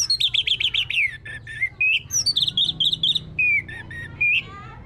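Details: Orange-headed thrush singing, used as a lure to prompt another bird to sing; fast trilled bursts falling in pitch, followed by varied whistled notes and short chattering phrases, loud and continuous.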